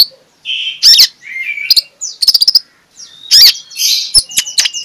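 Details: Morning ngeplong-style song of an Oriental magpie-robin, played to spur idle magpie-robins to sing: varied sweet whistles mixed with sharp clicking notes and rapid ticking bursts, broken by short pauses.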